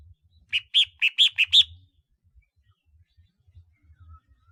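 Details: Red-whiskered bulbul of the ringed-neck type (chào mào khoang cổ) used as a decoy bird, giving a quick burst of six bright, clear chirping notes in about one second, then quiet with faint low rumble.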